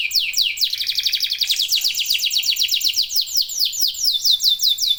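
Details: Local canaries singing vigorously, several birds joining in: fast series of high, sharply falling whistled notes, each sweeping downward, repeated in quick rhythmic trills that slow slightly toward the end.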